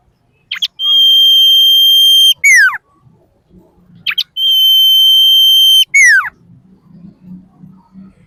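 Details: Common iora song used as a lure to get birds singing: a clear, steady high whistle held about one and a half seconds, then a quick run of falling slurred notes, given twice with faint low rumbling between.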